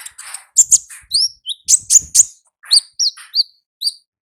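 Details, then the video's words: Olive-backed sunbird singing in the wild: a rapid run of thin, very high chirps and short downslurred whistles, tumbling in uneven bursts with brief pauses between. "Suara Asli Ngalas Konin Ninja di Alam Liar"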